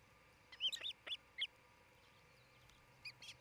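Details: Nesting osprey pair in Charlo, Montana, near midday on 27 June 2018, on a nest camera: a quick cluster of four sharp, high, slightly downslurred chirps, a pause, then two more short yelps.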